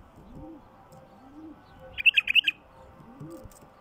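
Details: Short, sweet chattering phrase of about six quick notes from a wild bulbul, used as a lure for wild bulbuls, set against a low hum and soft swooping background sounds.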